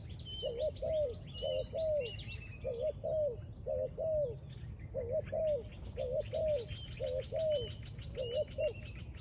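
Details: Spotted dove near a trap calling in a rhythmic series of coos, each a short doubled note plus a falling tail, over busy chattering and chirping of other birds and a low background rumble.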